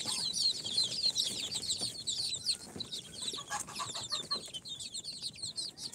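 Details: Newly hatched chicks, four days out of the incubator, a mix of Sultan, Golden Sebright, Cochin and booted breeds, giving a dense, continuous chorus of shrill, falling peeps from many birds at once, with soft rustling underneath.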